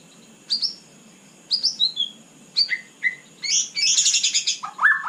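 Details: After a moment of quiet, a white-rumped shama sings at night with short high whistles falling in pitch, spaced about a second apart, then a dense buzzy chattering burst and a final slurred note.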